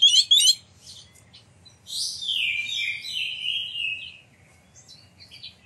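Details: Oriental magpie-robin singing as a lure to provoke other magpie-robins to sing, spread their tails and bring out their fill phrases: a loud burst of rapid chirps, then a long falling whistled warble, with softer trailing notes.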